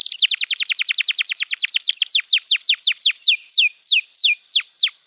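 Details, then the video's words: Canary masteran song: a rapid, accelerating-then-slowing series of steep downslurred chips, starting at many per second and spreading out into slower, separate whistled sweeps. "Masteran Kenari PAUD & Pancingan Kenari MACET BUNYI"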